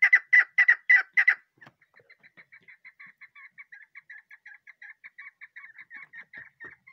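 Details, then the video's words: A pet Chukar partridge chick gives five loud, harsh, ringing notes in quick succession, then a long run of soft, thin, high peeps about two per second. "mara chakor k apna bacha ki new video voice awaz sounds bird"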